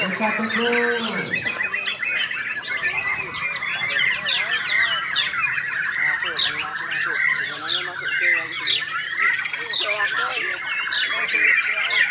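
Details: White-rumped shama, a hobby songbird, delivering its learned mimicked song repertoire: a dense, unbroken stream of fast chirps, sharp whistled notes and rapid trills. A low descending sound is heard at the very start.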